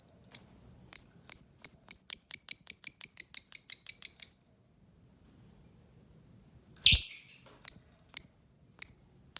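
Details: Lovebird giving a rapid run of short, sharp high chirps, about fifteen in quick succession, then a pause, a harsh burst and four more spaced chirps.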